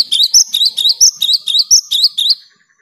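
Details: Cinereous tit singing vigorously, meant to encourage silent caged tits to start singing; a steady run of about ten sharp whistled two-note phrases, evenly spaced and high-pitched, ending abruptly.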